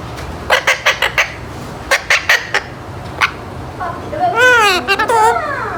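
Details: Eight-month-old pet Alexandrine parakeet just starting to talk, still not clearly, saying words like "peek a boo" and "mithu": quick clipped squawks and syllables in bursts, then a longer warbling run of speech-like chatter with wavering tones.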